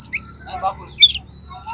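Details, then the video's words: Oriental magpie-robin singing a harsh-material song meant to rouse another magpie-robin: a long high whistle, then grating mid-pitched notes and a sharp squeaky phrase, over a steady low hum. "SUARA KACER FULL ISIAN MATERI KASAR-KASAR !! COCOK UNTUK MENAIKAN EMOSI KACER"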